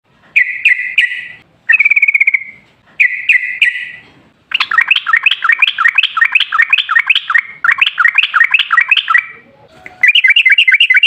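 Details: Sooty-headed bulbul in vigorous, long rapid 'ropel' song in wild 'ngalas' style, used as a lure to prompt other bulbuls to sing: short chirpy bursts, then a long run of fast repeated buzzy notes, ending in a quick trilled series.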